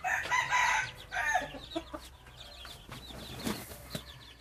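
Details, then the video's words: Hybrid junglefowl rooster crowing: a loud harmonic crow opens the recording, followed by a shorter second burst. After that, faint chirping calls from other birds fill the background. "Qaib qus txuam zoo nraug thiab qua tau zoo tshaj plaws ไก่ป่าลูกผสมเสียงขันดีมากๆ เสียงขันอมตะ"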